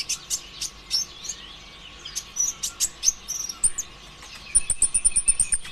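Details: Nonstop 'konslet' song of a green kolibri ninja sunbird, used to get other birds singing: bursts of sharp high chips and twitters, ending in a quick repeated series of thin high notes.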